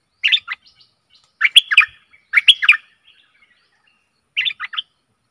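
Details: Stripe-throated bulbul decoy song meant to attract aggressive wild birds: short jaunty phrases of three to four fluty, chattering notes, repeated roughly once a second with brief gaps, clear and close.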